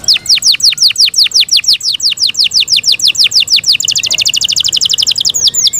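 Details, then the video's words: Caged Yorkshire canary delivering a long run of rapid descending whistled notes, about three per second, speeding into a tight high-pitched trill near the end. "Yorkshire canary Nice sound"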